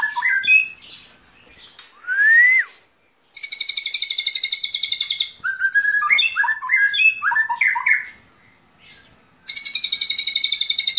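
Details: White-rumped shama in long song with lovebird and cililin-style canary imitations: varied whistled phrases, a rising slurred note, bursts of fast buzzy high trills, and stepped jumbled chirps, with short pauses between sections.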